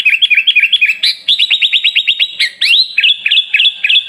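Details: Sooty-headed bulbul song from a masteran training recording with rich fill-in phrases: quick bright chirps repeated about four per second, then a run of fast descending notes and sweeping upslurred whistles, with more chirp series closing.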